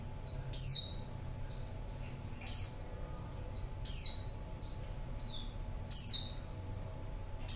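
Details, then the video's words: Female white-eye as a lure for males: high, thin, falling slurred calls every one and a half to two seconds, each trailed by a few softer high chirps, over faint low noise. "pleci betina#buat pancingan pleci jantan"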